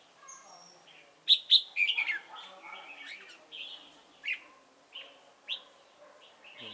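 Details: Decoy red-whiskered bulbul at a trapping site, Chùa Hương, 28 November 2017: a loud burst of sharp chirps followed by single slurred whistled notes spaced about a second apart.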